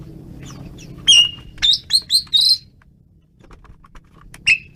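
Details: Asian pied starling in lively song: a sharp whistled note, then a quick run of four loud ringing notes with bright overtones, a pause with soft clicks, and one final piercing whistle; faint low hum underneath.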